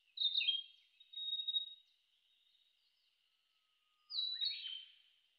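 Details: Narcissus flycatcher (Ficedula narcissina), song.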